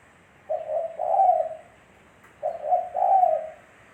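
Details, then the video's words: Spotted dove singing in daytime, kept as a lure recording: two soft, husky two-part coo phrases roughly two seconds apart, the second note of each louder and longer. "Suara Burung Tekukur Bersih"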